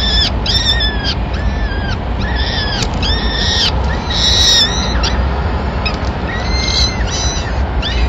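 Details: Male peregrine falcon bringing a small bird as the first breakfast for the chicks in Madrid on 26 April 2016; insistent harmonic wailing calls, rising then falling, repeat back to back against a background of steady urban traffic rumble.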